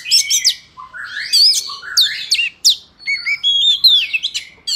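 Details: Forest-style song of an Oriental magpie-robin, used as a lure for trapping and to train young birds: ringing whistles, rising and falling slurs and sharp chips, delivered in irregular bursts with short gaps.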